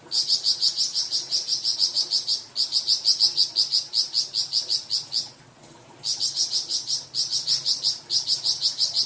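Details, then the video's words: Flamboyan bird, a songbird kept for training cucak ijo and magpie robin, giving a varied song: strings of sharp, bright, evenly repeated notes, about three per second, broken by a short gap. "Suara variasi burung flamboyan untuk masteran cucak ijo dan murai batu"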